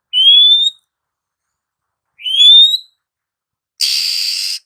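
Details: Female Oriental magpie-robin singing to provoke silent, lazy males into song: two clean whistled phrases rising slightly, then a short broadband hiss at the end.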